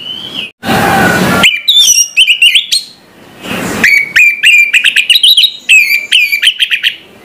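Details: Orange-headed thrush singing in the morning: loud, varied whistled phrases around the upper-middle pitch range, with rapid slurred notes and high overtones, broken by two bursts of broadband noise.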